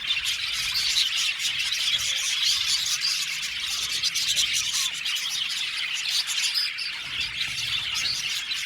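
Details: Budgerigar colony of 70 pairs in an aviary: constant high twittering and chirruping from dozens of birds, layered and overlapping, with occasional clearer squeaks poking through the background chatter.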